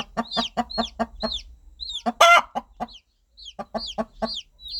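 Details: Mother hen guiding her chicks with gentle clucking; regular low clucks, one loud harsh note in the middle, a short silence, then clucking resumes amid high falling chick peeps.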